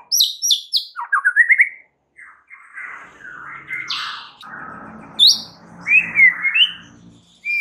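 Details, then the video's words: Song of a white-rumped shama played as a lure to provoke rival birds: sharp high chips, rising trilled notes, hoarse buzzy phrases over low background noise, then scattered clear whistles. "SEKALI PANCINGAN Murai Batu anda langsung NAIK EMOSI mendengarnya"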